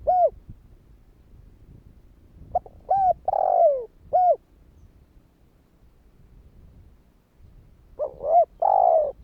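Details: Spotted dove calling in the kích bổi style to draw replies from other doves. Mellow coos arrive in irregular bursts, each burst with a long sagging coo, separated by quiet stretches with soft low background noise.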